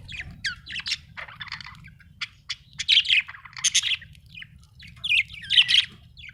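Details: Budgerigar chirping steadily: a string of rapid scratchy chirps and warbled squawks in uneven bursts, growing louder toward the middle and end, over a faint low hum.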